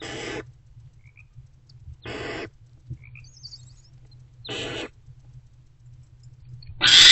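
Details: Mother barn owl and her older owlet in a nest box at 4:41–4:46 am on 20 February 2024; loud, harsh, breathy hisses of about half a second, four in a row spaced around two seconds apart, the last the strongest, with quiet shuffling between.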